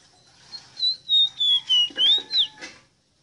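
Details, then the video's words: Rosita singing: a sustained, clear whistle that wavers slightly and dips before sweeping up into a bright curl, delivered as six loud pulses within about two seconds. "EXTRAORDINARIO CANTO DE ESTA AVE ROSITA"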